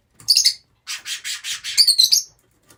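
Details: Rosy-faced lovebirds kept as a group, producing harsh rasping squawks: a screechy double note, then a rapid chain of grating calls ending in shrill, high chirps.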